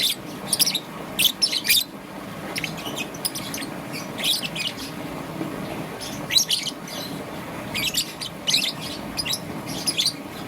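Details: Young peach-faced lovebird, green and yellow, in the morning, with scattered groups of sharp, high chirps separated by quieter gaps of a second or two, over a low hum.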